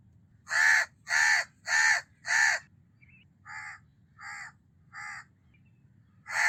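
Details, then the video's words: Harsh caws of a house crow: four loud calls in quick succession, then three quieter caws spaced about 0.7 seconds apart and one more loud caw at the end, over faint low hum. "House Crow Call"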